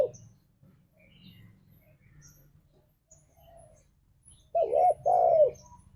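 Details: Spotted dove (tekukur) ngalas song used as a lure for pet doves: a faint low hum and scattered soft ticks, then near the end one loud phrase of two arched coos, the second longer and falling.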